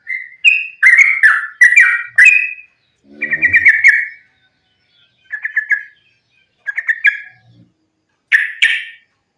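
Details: Yellow-vented bulbul fighting song, used as a lure to set other bulbuls singing: bubbly, chattering mid-pitched phrases in bursts of one to two seconds separated by short pauses, with a faint low sound beneath one phrase.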